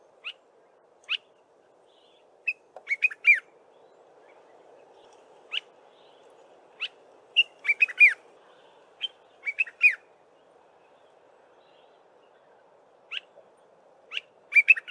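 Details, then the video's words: A Dark-capped Bulbul sings in the early morning: short, liquid, chirpy phrases of a few bright notes, spaced irregularly every second or two, over a faint steady background hiss. "Dark-capped Bulbul singing"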